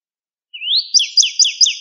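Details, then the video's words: Short northern cardinal phrase from a cage-bird training recording: a smooth rising whistle followed by four sharp downslurred notes in quick succession. "Suara Masteran Burung Cardinal"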